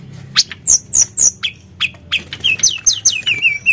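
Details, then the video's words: Sunda blue robin in energetic full song, used to provoke other birds into singing: sharp high downslurred chips, then a run of bright descending whistled notes, roughly five per second, growing denser toward the end. "Pancingan Emosi Burung Tledekan Gunung Gacor"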